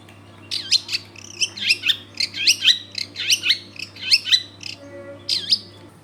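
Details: Lively long-tailed shrike song used as a lure to make other shrikes sing, from a dense residential area: repeated looping, squeaky whistled phrases about every second, over a steady low hum.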